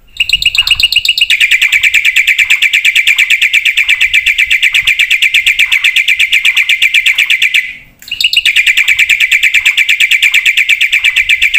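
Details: Javan pied starling in full song used as a master and lure recording: a long run of rapid, even chattering notes around a steady pitch, repeated nearly three times a second, with a brief pause before the rapid series resumes.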